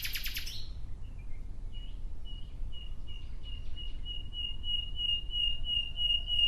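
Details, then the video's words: Nightingale singing: a brief harsh burst, then a series of pure whistled notes on one pitch, about three per second, growing louder and faster over five seconds, with steady low background rumble. "Relaxing clear sound of Nightingale"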